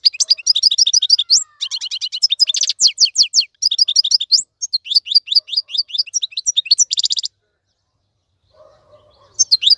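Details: Song of a goldfinch meant to teach young birds: energetic twittering with trills and buzzy notes for about seven seconds, then a silent gap and a faint low sound before song resumes.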